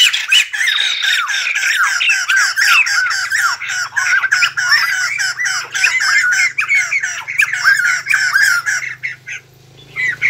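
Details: White-crested laughingthrush, singing and dancing, delivers a long, loud cackling chorus of rapid harsh squawks that gradually thins out and fades near the end, with a faint low hum beneath.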